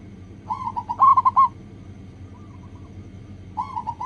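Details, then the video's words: Local zebra dove song used as a lure to start other doves singing: a soft phrase of cooing notes rising into a louder rapid burst, a faint distant answering phrase, then another cooing run at the end. "PANCINGAN PERKUTUT LOKAL AGAR CEPAT BUNYI"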